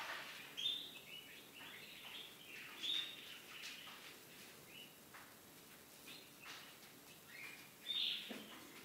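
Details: Young Spanish Timbrado canaries from 2017 being hand-fed, giving short high thin chirps in three clear bursts spread over about eight seconds, with fainter soft chirping and light rustling in between.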